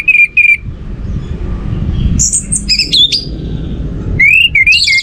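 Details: Orange-headed thrush singing to stimulate other birds: short bright whistled notes, then high sharp squeaky phrases, then rising warbled whistles, over steady low background noise.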